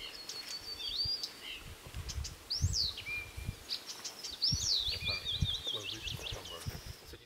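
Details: A Blyth's reed warbler in Oulu, Finland gives high, clear phrases: arched whistles, short repeated notes and rapid trills with brief pauses, over a low background rumble.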